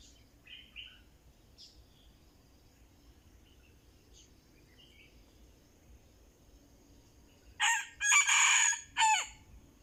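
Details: Red junglefowl crows near the end while a decoy is used to lure it. About seven seconds of quiet countryside with scattered soft bird chirps come first, then a loud, hoarse, segmented crow ending in a falling note.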